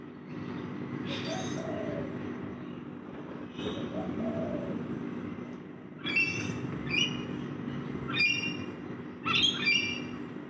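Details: Rainbow lorikeet parrots feeding in a backyard: a couple of isolated harsh screeches early, then a quick run of bright, rising squawks in the second half, with low hum and a faint cooing note.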